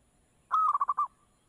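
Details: Perkutut, or zebra dove, giving one brief call: a clear held coo that breaks into four quick pulsing notes and fades out, against a quiet background.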